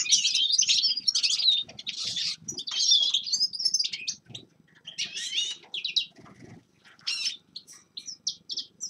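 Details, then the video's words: Forest birds in winter give loud bursts of twittering and chirped phrases, thinning later into separate short chirps with gaps, over a soft low rustling or fluttering background. "Зимнее пение лесных птиц Winter singing of forest birds شتاء غناء طيور الغابة"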